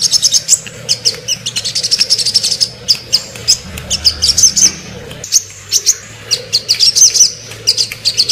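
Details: Sogon bird recorded as a shooting-style song for training other birds: rapid high chattering notes and sharp chips in dense bursts, with brief pauses between phrases.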